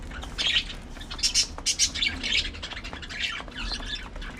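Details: Parakeets at early morning feeding, several loud scratchy squawks close together in the first two seconds, then quieter chattering.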